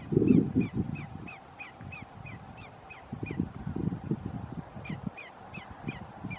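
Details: Greater Yellowlegs at Roxbury Park, Meggett, South Carolina, on 5 January 2019, giving a long, steady series of short, clear whistled notes, about three a second, over heavy low rumbling noise.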